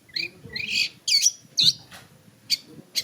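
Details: Long-tailed shrike giving a few harsh, scratchy squawks and buzzy upslurred notes, then two short sharp chips after a pause.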